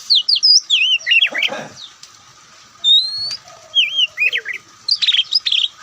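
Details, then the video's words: Oriental magpie-robin of the white-breasted form, locally Kacer Poci, singing a loud, varied song: bursts of sharp whistled notes sweeping up and down, a long rising whistle near the middle, then quick twisting phrases after brief pauses. "Kicauan Santai Kacer"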